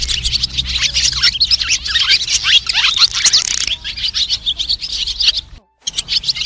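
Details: White-bellied swallows calling as a flock, a recording used as a lure for net and glue trapping: dense high twittering and chirps overlapping continuously, with a short gap near the end before the chatter resumes.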